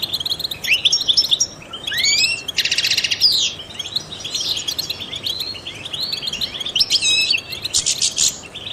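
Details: European goldfinch, trained and used to stimulate songbirds, sings a lively varied phrase of tinkling chirps, slurred whistles and two harsh buzzy bursts, repeated twittering throughout, over faint hiss.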